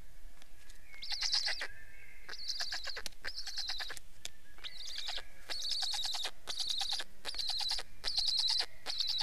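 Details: Black stork giving repeated high, buzzy pulsed bursts in short series, some longer and closely spaced, with a faint drawn-out whistle behind and quiet low noise throughout.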